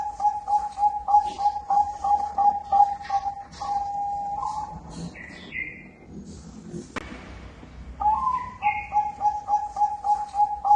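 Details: Bangkok-type zebra dove singing in a vigorous gacor style: rapid staccato cooing notes repeated about three per second on a steady mid pitch. A pause follows with brief higher whistles from another bird, then the cooing resumes.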